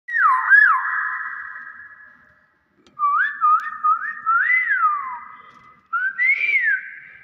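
A Nias hill myna gives loud, clear whistled phrases, rising and falling in short slurs, in three bursts separated by brief pauses, in a quiet room.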